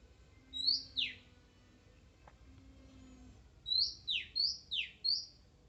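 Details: Oriental magpie-robin in the wild, shy but persistent: one whistled phrase ending in a falling buzzy slur, a pause, then four such phrases in rapid series, each rising then plunging in pitch.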